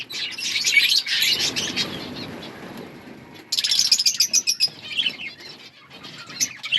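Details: Outdoor budgerigar colony with busy chirping and twittering, a softer stretch where wingbeats are heard, then a fresh burst of rapid high chirps.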